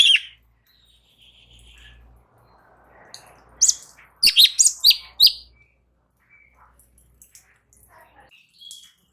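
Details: Light-vented bulbul used as tutoring audio to get other birds answering; one loud chirp, quiet stretch with soft rustling, then a rapid burst of sharp notes and faint scattered chirps.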